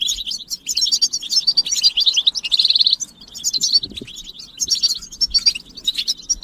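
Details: Group twittering of European goldfinches, meant to motivate males to sing. Quick, bright chattering notes with a short buzzy trill around two and a half seconds. A faint low thump comes near four seconds.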